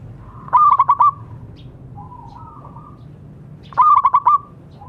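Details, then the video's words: Local zebra dove calling, used to get silent doves singing again: two bubbling phrases of five rapid coos with a quiet wavering tone between them and faint low background noise. "Perkutut lokal gacor suara bagus untuk terapi yang macet bunyi"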